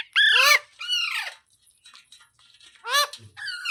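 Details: A green parrot, described as talking, gives two strong descending harsh squawks, then soft murmuring chatter, then another loud falling screech and a shorter call.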